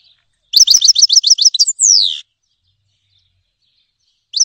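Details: Song of a grey-headed goldfinch: around nine quick, high chirping notes lead into a long, down-slurred whistle. A pause follows, then the next phrase begins.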